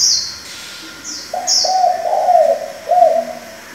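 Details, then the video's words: A spotted dove with changing voices, used to stimulate and train young doves, opens with a short note, then draws out a wavering, throaty coo and closes with a lower rolling note. Sharp high chirps from other birds come first. "Cu gáy đảo giọng liên tục, kích bổi hay, luyện CU non chuẩn!"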